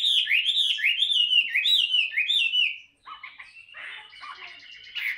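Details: Chinese hwamei, caged and tame, singing in practice: rapid repeated slurred whistles for three seconds, a brief gap, then a softer, scratchy jumble of notes.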